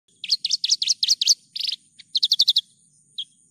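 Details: Javan bush lark in full, lively song, clean master recording: quick bursts of sharp, bright chirps, each rising then dropping, in rapid runs of six or seven notes with brief pauses, plus a faint steady high whine.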